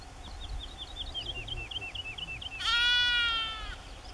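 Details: Woodlark at the Kale Duinen, Aekingerzand, Drents-Friese Wold, 31 March 2016, delivering a rapid string of soft, down-slurred whistled notes, then cut across by a long, loud bleat.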